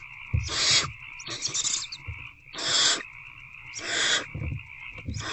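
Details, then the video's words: Hungry owl chicks in a nest box, evening of 26 February 2024, struggling again with a rodent: five breathy hissing screeches in close succession, about one per second, with faint thumps and steady hum. "Hungry Owlets Try Again to Eat The Rodent."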